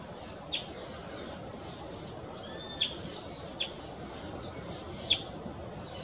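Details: Brazilian tanager at Parque Municipal da Restinga do Guaraú, São Paulo, Brazil, on 3 June 2024, giving thin, steady, very high half-second whistles mixed with sharp clipped ticks at an uneven pace over a soft background hiss.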